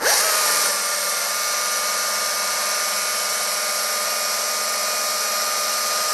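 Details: No animal sound: a steady, high mechanical whine from a power tool runs throughout, with constant buzzing tones.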